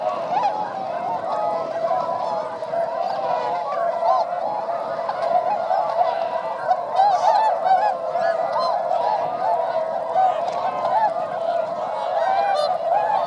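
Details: Wintering flock of 905 swans in flight over rice fields, Motono, Inzai, Chiba, Japan, December 2014; a dense, unbroken roar of honking and trumpeting calls from countless birds throughout.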